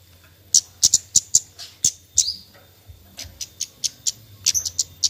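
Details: Javan white-eye lure recording of 'nyecret' chatter meant to stir lazy birds into song: a quick burst of high, dry clicking notes, a short pause, then a softer run of evenly spaced ticks.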